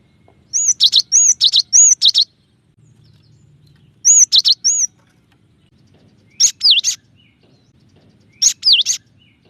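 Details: Cinereous tit singing varied phrases: short bursts of sharp high chirps and arched whistled notes, three or four notes per burst, separated by pauses of one to two seconds, with faint low background hum.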